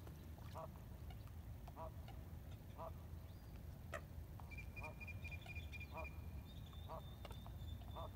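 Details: Ducks quacking at sunrise, 6:16 AM on April 12, 2021, on the Colorado River at Lake Havasu, Needles, California, taken on an iPhone 7. Nasal quacks repeat about once a second over steady water and engine rumble, with a high trilling bird midway.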